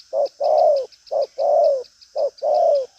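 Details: Close, loud spotted dove, 'đồng pha chân cua' type with a hard coo and bustling manner, giving trailing urging coos: three clear pairs of a clipped low note followed by a longer coo gliding down, over a faint high buzz.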